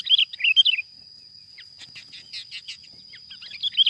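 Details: Wild sooty-headed bulbul caught on lime-coated sticks during trapping: short bubbly whistled phrases open and close, with scattered softer chirps between and a steady high whine throughout.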